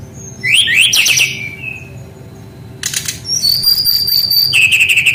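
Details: Brown-chested jungle flycatcher in full, persistent song meant to spur young birds into singing: a burst of rich, warbling notes, a pause, then long pure high whistles that rise and step down. A quiet low hum continues throughout.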